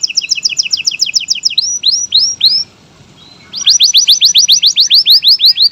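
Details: Local-type canary singing in varied style: fast doubled chirping notes, a few slow descending whistles, a short pause, then a brisk run of repeated high downward-sweeping notes.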